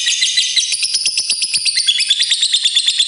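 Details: Fighter lovebird giving a long ngekek trill meant to get other lovebirds singing: rapid, high, chattering notes pulsing about three times a second, steady and unbroken, with shrill overtones throughout.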